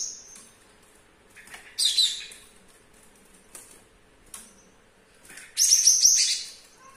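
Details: A young Java sparrow, owned about two weeks and caged in a kitchen, with a sore foot, a broken-off claw and a regrowing tail, still sings readily: bursts of high, bell-like chips and clicking notes, loudest near two and six seconds, with quiet pauses.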